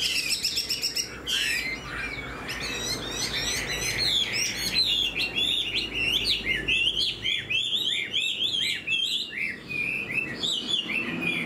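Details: Caged Chinese hwamei with fanned tail and fresh new plumage, singing while flicking its tail like a laughingthrush: rapid, varied whistled phrases sliding up and down, dense and loud throughout, with faint background music.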